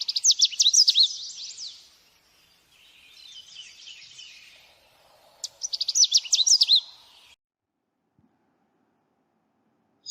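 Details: Recorded bird sound for a children's lesson on animals; three bursts of fast, high twittering separated by softer, lower chattering, then silence until a final sharp chirp.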